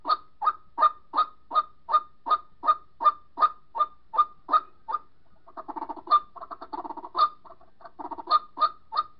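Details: White-breasted waterhen lure recording of a bird calling to its mate, used to trap a second bird: loud, harsh croaking notes, about two to three a second, broken by a jumbled burst of lower grunting notes.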